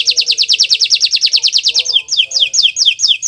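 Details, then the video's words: Energetic canary song used as a training recording to coax other canaries into singing: a rapid, regular high trill of repeated notes that breaks into slower, well-spaced descending whistled sweeps near the end. "Masteran Burung Kenari untuk Pancingan"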